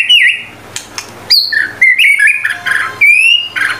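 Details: Vigorous gacor song of the murai batu, or white-rumped shama: a rich varied phrase of looping whistles, quick sliding notes and a long high rising whistle near the end.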